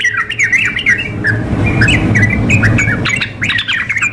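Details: Sooty-headed bulbuls, a female calling a male mixed with a vigorously singing bird in a contest-style recording: dense overlapping chattering and short bubbly whistled notes in rapid succession, over a steady low hum.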